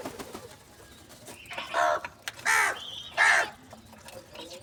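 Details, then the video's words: Crow calling out for food in the morning while offered cheese and salty food: three loud, hoarse caws spaced under a second apart, rough and broad, over a low, quiet background. "Crow Call For Foods , Crow Morning Foods"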